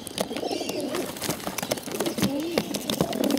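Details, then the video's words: A short burst from hungry bottle-fed pigeons: low murmuring notes that end in a clear rising-then-falling whine, with frequent sharp clicks throughout. "hungry bottle fed pigeons"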